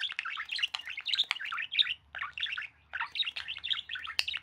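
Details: A budgerigar flirting with its owner's hands chatters in a fast, scratchy courting warble of squeaks and clicks.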